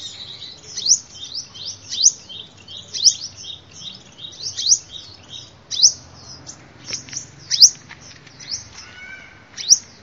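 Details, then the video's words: Sunbird song used as a lure: sharp, high chirps sweeping downward, repeated steadily about every second over ten seconds, with a brief lower whistled note near the end and faint background hum. "tiếng chim hút mật"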